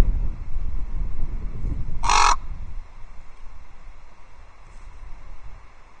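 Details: Common raven at Loch Arkaig Osprey Nest Two on 12 October 2023, warning another raven away: one loud, rasping cluck, then near quiet with a faint distant call and soft low rumble.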